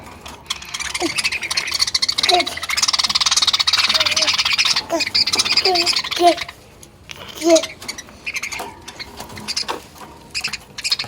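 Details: Hungry budgerigars (Melopsittacus undulatus) squabble and fight over food in a dense, buzzy chatter broken by short, harsh squawks.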